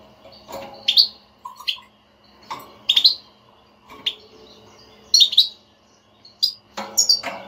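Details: Stimulating batbata chatter of a European goldfinch, used to get a quiet goldfinch singing: sharp, slurred chirps scattered irregularly, some thin tinkling notes and faint clicks between, over a low constant hum.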